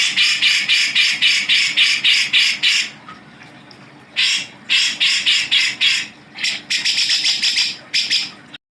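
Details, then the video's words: Grey-cheeked bulbul (cucak jenggot) recorded as a training tape for songbirds such as magpie-robins and leafbirds: loud, harsh, broadband bursts pulsed about four per second in two long runs, with a short pause between them. "masteran suara burung cucak jenggot"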